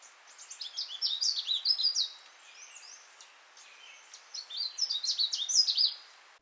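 Two bursts of a Canada Warbler's jumbled song: a quick chip, then rapid high staccato notes, the last one rising. A short pause separates the bursts.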